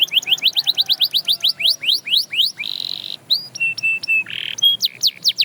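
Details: Canary singing rapid rising chips in a quick series, then a steady held whistled tone, short flat whistles, and more sharp rising notes.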